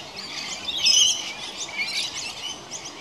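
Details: Several wild rainbow lorikeets bathing in water in a house gutter at the end of a hot summer's day, 1 January 2017, giving overlapping high, shrill screeches and chattering notes.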